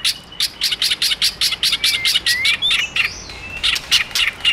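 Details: White-rumped shama male singing, roused by a female: a fast run of sharp, high chirps, roughly seven each second, with a few thin, rising whistles slipping in between.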